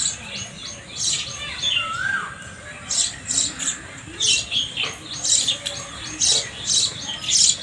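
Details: Sparrows calling: a busy chorus of short, shrill chirps repeated in quick irregular bursts, over a steady background hiss.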